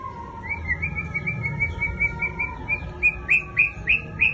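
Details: White-rumped shama giving a fast run of sharp, high whistled notes, starting as a rapid trill and slowing into louder, separate upswept chips near the end, with low background rumble.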